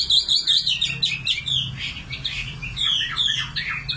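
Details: Nightingale song of dense, rapid chirping phrases and quick whistled slurs, varied and almost continuous, with a low background hum beneath.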